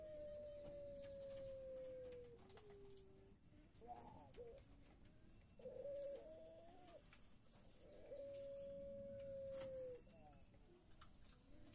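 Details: Barbary dove of the pelung type, noted for its long voice, gives a long, steady, mid-pitched coo held over two seconds and slightly falling, followed by short throaty coos, then the long note again.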